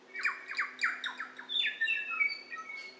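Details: Kākā, possibly, recorded in New Zealand, giving a rapid run of harsh, rasping squawks, then clearer whistled notes sliding from high to lower pitch; a faint steady hum underneath.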